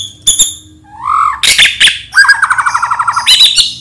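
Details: White-rumped shama of the Medan type, used as a lure to trigger singing: sharp high notes, a rising whistle, then varied harsh phrases and a rapid rolling rattle of repeated notes.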